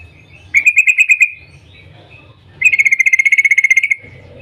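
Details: A yellow-vented bulbul's morning 'cuk cuk' call, meant to get other bulbuls singing: a short pulsed trill, a pause, then a longer rapid buzzy trill of about twenty pulses, over a low hum.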